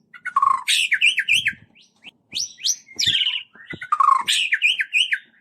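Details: Lure song of a white-rumped shama meant to set other shamas singing: three loud phrases of rich mid-pitched whistles and zigzag trills, separated by short pauses with faint clicks.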